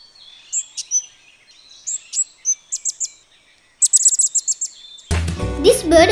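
Sri Lanka hanging parrot giving thin, shrill, very high squeaky notes in quick irregular bursts, several a second. Music cuts in at the end.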